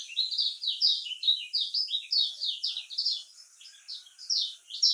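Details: Lemon-bellied white-eye (kecial kuning) with the Lombok voice. Scratchy, high warbled phrases come in quick pulses, roughly two per second, over steady background hiss.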